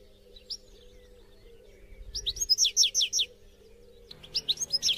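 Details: European goldfinch song played to motivate captive goldfinches to sing: short bursts of quick high twittering notes after a quiet start, over a steady low hum.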